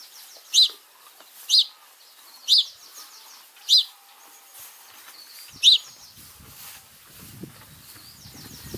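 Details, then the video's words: Chirping of a house sparrow, five sharp, clear chirps spaced about a second apart then a pause, over a quiet outdoor background with faint distant bird twitters. "Sparrow Chirping sound | 4K videos | House sparrow sounds"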